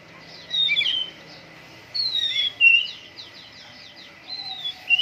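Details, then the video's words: Shama kept in a cage for morning dew airing, delivering clear high whistles and quick chattering notes in three bursts with silent gaps between them. "MURAI BATU GACOR, PROSES BURUNG MURAI PENGEMBUNAN PAGI"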